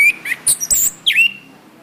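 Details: Brief orange-headed thrush phrase from a cage-bird training recording: a few sharp whistles and high chips, then a loud swooping note that dips and levels off.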